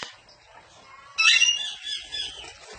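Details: Parrot letting out one short, harsh, screechy squawk after a quiet stretch, trailing into softer rasping notes.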